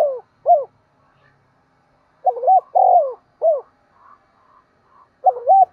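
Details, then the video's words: Spotted dove decoy cooing in the morning to attract wild birds; end of one phrase, a pause, a full low phrase of double coo, rolling coo and short note, faint chirps, then another phrase begins. "Chim cu gáy mồi gáy gọi kích bổi buổi sáng hiệu quả nổi lẹ mỗi ngày"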